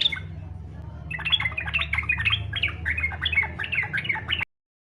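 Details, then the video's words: Yellow-vented bulbul, fighter style, used to lure other bulbuls into song: after a brief note, a brisk, unbroken chatter of bright, sliding and squeaky notes for about three seconds, ending abruptly, with low hum beneath. "SUARA trucukan faghter cocok buat pancingan supaya trucuk ikut faghter"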